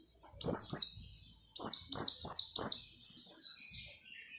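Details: Oriental white-eye singing persistently, used to coax other white-eyes into song: high, rapid descending twittered phrases in bursts, several short phrases in quick succession with brief pauses between.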